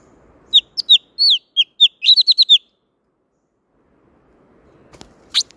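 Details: Wild-type song of the blue-throated flycatcher: a bright series of short, high, down-slurred whistles, speeding into a quick run of repeated notes, then silence and a last faint high note.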